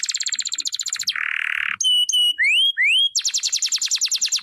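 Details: Singing canary delivering a rolling high trill, a harsh buzzy rasp, pure whistled notes and rising slurs, then a fast series of descending chirps repeated about six per second.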